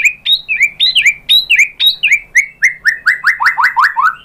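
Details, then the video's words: Shama lure song to rouse another bird into singing: a steady series of loud downslurred whistles, about two per second, growing stronger toward the end. "PANCINGAN MURAI BATU biar EMOSI jadi NYAUT IKUT GACOR BONGKAR MATERI ISIAN ¦ SHAMA BIRD"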